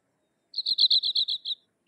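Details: Sykes's lark giving a short, even string of about nine bright, slightly buzzy high notes, roughly one second long, followed by a single lower note after a pause.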